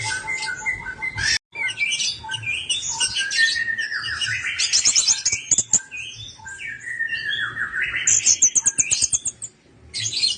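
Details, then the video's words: Lure recording of an orange-headed thrush to make silent birds sing: a continuous, varied warble of buzzy, chattering and whistled notes, some sliding down, with fast rattling trills toward the end. "BAGUS UNTUK PANCINGAN ANIS MERAH MACET DALAM 3MENIT PASTI NREKTEK !!"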